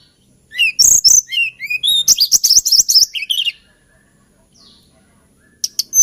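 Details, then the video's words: Hill blue flycatcher (Cyornis banyumas), a small songbird of Kalimantan and Java known for its lilting, plaintive song: high varied whistled notes, then a quick run of sharp chirps lasting about three seconds, a pause, and a brief closing burst. "TLEDEKAN GUNUNG KICAU MERDU"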